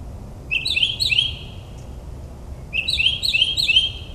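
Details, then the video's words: Northern mockingbird singing at midnight in suburban New Jersey, mimicking other bird species: two bursts of quick, bright chirped notes rising and falling, each burst about a second long, over a soft low background rumble. "Moonlit Melodies - Mockingbird's Nocturnal Performance in NJ"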